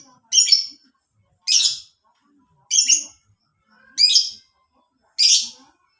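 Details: Lovebird sound used as a training lure for caged birds: five loud, harsh, high chirping bursts, each about half a second long, repeated roughly every 1.2 seconds against silence.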